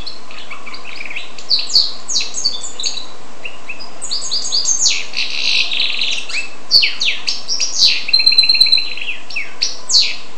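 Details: Goldfinch and canary hybrid singing a fast, varied run of bright twittering notes, sharp upslurred chirps and short buzzy trills, brief pauses between phrases, with a denser burst of rapid notes near the end.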